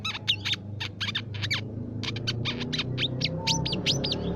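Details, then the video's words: Crimson sunbird (Aethopyga siparaja) gives a rapid run of high, thin chips and sharp sweeping notes, several per second, over a low steady background hum. "Suara Pikat Burung Sepah Raja"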